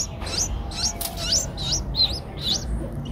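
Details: Streak-eared bulbul nestlings eight days old, eyes opened at seven days, in Ubon Ratchathani, Thailand, 10 April 2023; high thin rising-falling squeaks repeated about twice a second, with a low hum and a soft whistle beneath.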